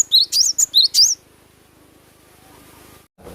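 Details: Cinereous tit, called glatik batu, singing in natural sound: a rapid burst of high, clear whistled notes alternating sharp upslurs and bright chips for about one second, then quiet background hum and a short rustle at the end.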